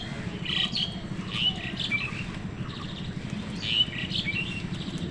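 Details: Crows competing with wild birds for food; a few harsh, scratchy calls arrive in two clusters about three seconds apart, over a steady low rumble.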